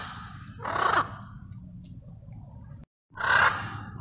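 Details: Blue-and-yellow macaws in a wild flock, relaxing and bonding together; two harsh, grating squawks about two and a half seconds apart, each brief and raspy, with steady low rumbling noise between them.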